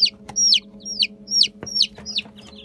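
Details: Fifteen-day-old Light Brahma chicks giving shrill, falling peeps in quick succession over a faint constant hum.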